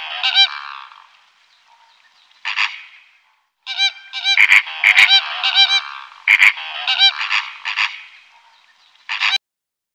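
Flamingos give nasal, goose-like honking calls in short bursts and overlapping clusters, with brief quiet gaps between the groups.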